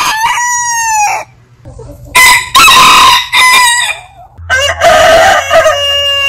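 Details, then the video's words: Several heritage-breed roosters crowing. One short crow opens, then overlapping hoarse crows follow, and a final long, ringing crow is backed by a low steady hum. "Biggest Rooster Sound Alarm - Long Roosters Crowning Suara Ayam Berkokok Panjang"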